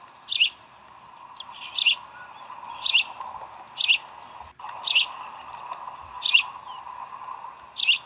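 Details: Bald eagles feeding chicks at the Decorah nest, 11 April 2012. Seven high, squeaky chirps come roughly once a second over a steady background hum.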